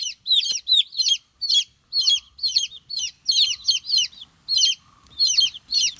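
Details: Young chicken chicks giving clear, high, downward-slurred peeps, often doubled or tripled, in distinct bursts with short quiet gaps and faint low background noise.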